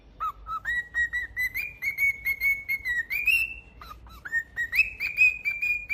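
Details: Singing pet cockatiel: rapid whistled notes, about two per second, stepping upward in pitch to a high held tone, then a pause and a second rising run.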